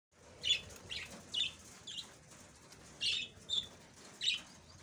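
Budgerigars give short, bright chirps and squeaky chatter in quick irregular bursts.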